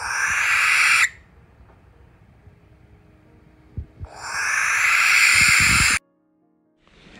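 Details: Barn owl giving its typical call, often called a screech: two long, harsh, hissing screeches, each about one to two seconds, separated by a quiet pause with a few faint low thuds.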